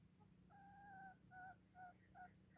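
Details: Red junglefowl from Aceh, a call used to lure wild junglefowl: a thin, distant crow of several tonal notes, a long opening note followed by shorter repeated ones, over steady insect buzzing and low hum.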